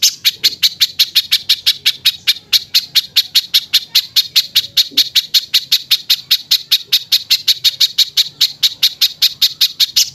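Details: High, harsh bird notes from a 'tembakan kasar' tutor compilation for cage songbirds, repeated steadily at about two and a half per second throughout, each note short and raspy.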